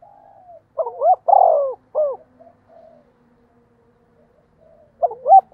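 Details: Spotted dove cooing to attract wild birds: a soft low coo, one full phrase of rising notes, a long rolling coo and a hooked final note, then quiet faint coos before the next phrase begins.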